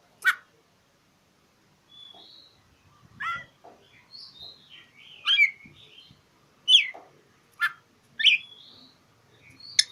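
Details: Oriental magpie-robin singing to challenge a rival, a bird used to provoke silent magpie-robins into singing: scattered sharp whistles, harsh rasping notes and short slurred phrases with gaps, some soft low background rustling.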